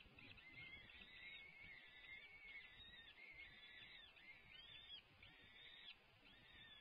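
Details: Male peregrine falcon bringing dinner to the nest at UC Berkeley, California, on 22 April 2021: a run of arched, slurred calls, each rising and falling, repeated roughly once a second over a steady background hiss.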